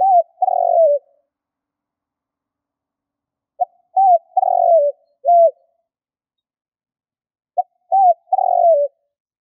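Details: Spotted dove giving a lure call used for hunting. Three cooing phrases arrive about every four seconds: a soft clipped note, an arched coo, then a longer burry coo sliding downward. The background is silent.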